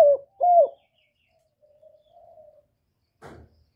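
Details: Spotted dove coo, played to stir newly kept birds: two loud, rounded hooting notes open, then quieter, drawn-out distant coos, ending with a brief rustle.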